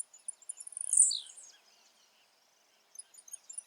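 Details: A single short, very high, buzzy note with a quick downward slur from a wild blue-black grassquit in its natural habitat. Quiet follows, then faint ticking calls of other birds.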